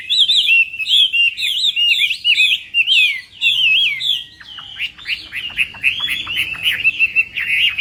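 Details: Contest Chinese hwamei singing at morning training, quick chains of bright whistles about one and a half per second, shifting midway into a thinner, hurried series of sharp notes.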